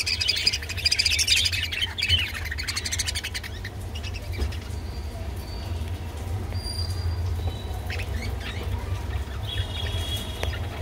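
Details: Rainbow budgerigars, kept as pets and eating kolmi greens, chatter in a dense, scratchy warble for the first few seconds, then give scattered short chirps and thin whistles over a low steady hum.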